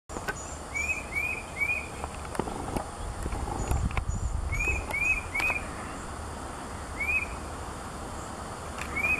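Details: Presumed Tufted Titmouse, 10-15 m away, eastern Williamson County, Texas, 3 April 2017, giving clear, slurred whistles in quick runs of three every few seconds, over distant traffic rumble and faint high chips of other birds.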